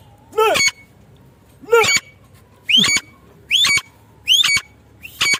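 A female partridge gives harsh, rising, squealing notes with a rasping edge, repeated roughly every second and a half; nothing else stands out.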